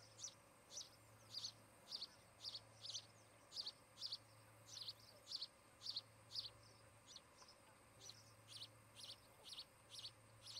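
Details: A pair of ospreys at the nest they built in Charlo, Montana, nest-camera audio from 17 August 2018, afternoon; long run of piercing whistled chirps, nearly two per second, slightly uneven, over constant low hum.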